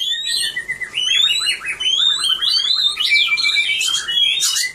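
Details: Oriental magpie-robin performing in a cage at a birdsong award event, 3 April 2015, pouring out fast rising whistles and rapid stuttering trills, then a long clear note and a harsh burst at the end.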